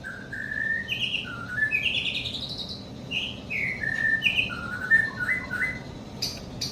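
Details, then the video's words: Young White-rumped shama giving a quieter song of clear whistled notes, some rising, some flat, in an unhurried varied sequence, ending with a couple of sharp clicks. "NGERII MASIH BOCIL MENTALNYA JOSS!!"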